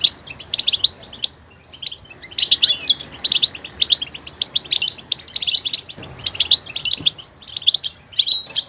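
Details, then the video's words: Lively goldfinch singing rich in diversity: long stretches of rapid tinkling, twittering notes broken by short pauses, bursts of chirps rising and falling in loudness throughout. "motivational ringtones that will take you on a journey with goldfinch"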